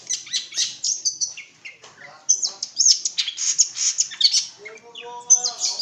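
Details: Long-tailed shrike from East Java in busy, varied song: high scratchy chatter, sharp chips and squeaky twitters tumbling together, ending with a few lower drawn-out whistled notes.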